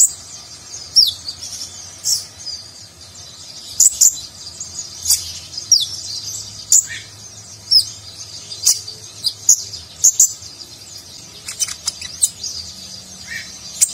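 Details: Konin (kolibri ninja, a nectar-eating sunbird) singing in busy 'gacor' style with a rich 'nagen'-style fill, used as a training recording for contest birds; sharp high chirps and short trills burst out roughly every second over faint low hum.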